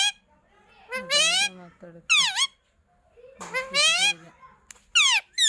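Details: A parrot talks in a high, squeaky voice. It utters short speech-like phrases in three main bursts, each with wavering, rising and falling tones, in a quiet room.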